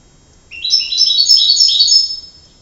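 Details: Canary delivering a two-second run of rapid, bright, rolling notes, a tight high warbling trill that rises slightly at the start and holds steady.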